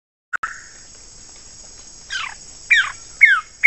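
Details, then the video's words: Wilson's bird-of-paradise gives four loud, sharply falling notes about half a second apart, over a steady high insect-like whine. "SUARA CENDRAWASIH KEPALA BOTAK"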